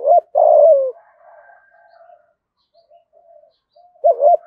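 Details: Spotted dove used as a lure for wild doves: a short note and a long falling hoot, then soft faint distant coos before the next phrase begins.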